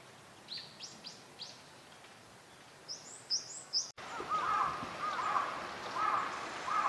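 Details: A wintering Northern Shoveler at Junsainike Green Park, Chiba, Japan, in February gives short, hollow notes repeated about once a second, preceded by thin, high chirps from small birds over steady outdoor noise.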